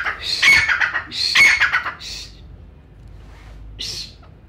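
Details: Brown francolin from Pakistan, recorded for hunters, calling loudly: harsh, ringing, broadband notes in two fast rattling bursts during the first two seconds, then shorter fainter notes after a pause.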